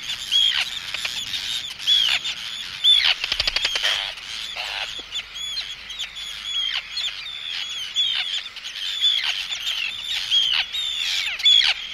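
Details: Close recording of Arctic terns calling in anxiety and threat at an intruder, chicks also calling: a continuous run of rasping downslurred shrieks with brief sharp whistled notes, roughly one burst per second, and a buzzy rattle near three seconds.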